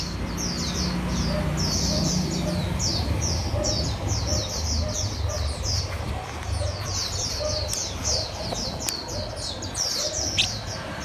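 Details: Red-whiskered bulbul of the 'eagle gene' line, learning to eat cricket abdomens, gives rapid high, short downward-slurred chirps, about two or more per second, over steady low rumbling background noise.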